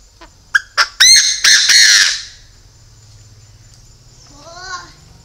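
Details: Chinese francolin decoy bird giving loud, harsh call: a few short sharp notes speeding up into longer ringing, buzzy notes, then silence and a faint lower rising chirp series near the end.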